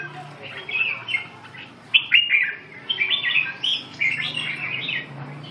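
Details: Red-whiskered bulbul singing short warbled phrases of bright chirpy notes, grouped in bursts with brief pauses, over a steady low background hum.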